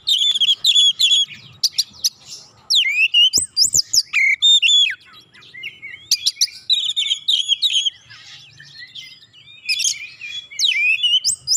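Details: Oriental magpie-robin singing as a lure to prompt other birds into song: loud, rapid, varied whistles and sharp chirps sweeping steeply up and down, in dense bursts broken by brief pauses, over a quiet background.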